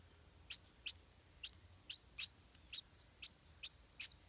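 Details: Stripe-throated bulbul chick being fed in the nest, uttering quick, thin, high chirps about every half second, some with a slight upward flick, against a quiet steady hum.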